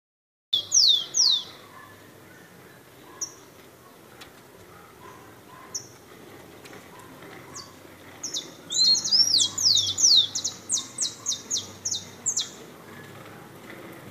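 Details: A rufous-collared sparrow (Zonotrichia capensis) sings high, sweet slurred whistles, then a quick run of rising and falling notes. The background is quiet apart from faint low hum.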